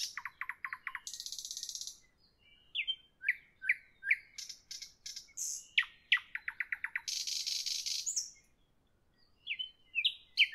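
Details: Nightingale singing in the evening: a run of rapid staccato notes, a harsh rasping buzz, a series of slurred whistled phrases, then clicking notes and another long buzzy rattle between short pauses.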